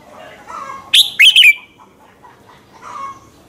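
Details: Red-whiskered bulbul morning song used for training and stirring other birds to sing; one loud phrase of three sharp, slurred descending notes stands out over soft low murmuring and quieter background bird sounds.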